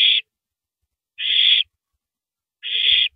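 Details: Owl feeding on a big rabbit in the small hours of April 9, 2012, repeats a steady, noisy, hissing screech about every 1.4 seconds, with a few dull thuds underneath.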